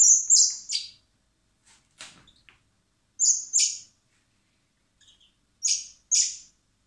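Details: Hand-reared common blackbird nestlings at a wildlife recovery centre in spring, before being freed, beg in high piercing paired squeals repeated in quick clusters, separated by quiet gaps with faint handling clicks.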